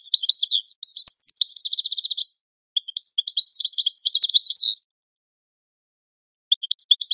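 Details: European goldfinch training song for teaching other birds: three bursts of high, tinkling twitter separated by short pauses. The first holds a rapid, even, buzzy trill. No other sounds.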